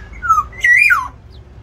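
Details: Black-naped oriole in an aviary, fighting to defend or seize territory, gives a fluty whistled phrase: a falling slurred note, then a louder note that rises and drops away, in a quiet room.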